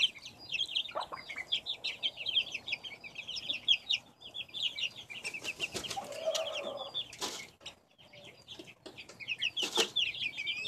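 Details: A brood of backyard chicks, recorded in 2015, chirps constantly in a busy high-pitched peeping chorus. Brief bursts of wing flapping and scuffling noises cut in several times.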